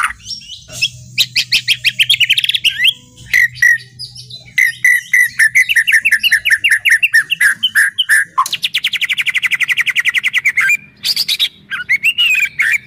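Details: Caged White-rumped shama in full song used to rouse other birds, recorded January 2023: long runs of rapid repeated chattering notes, buzzy trills and sharp whistled bursts, with a low steady hum underneath.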